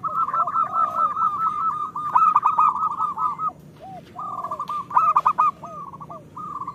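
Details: Local zebra doves in full song, meant as a lure for lazy birds; rapid rolling coo series overlapped by lower arched hoots, with loud stuttering bursts.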